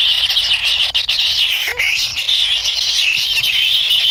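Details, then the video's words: Hungry kingfisher young in their nest give an unbroken, high, scratchy begging buzz while waiting for a parent to feed them, with a faint lower sliding note partway through. "ANAK BURUNG KINGFISER LUCU ‼️TAK SABAR SAAT MAKAN"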